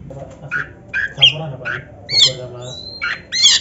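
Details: Oriental magpie-robin (kacer) in a song for training other birds, scattered short harsh chips and bright whistled notes with pauses between them, over a steady low hum.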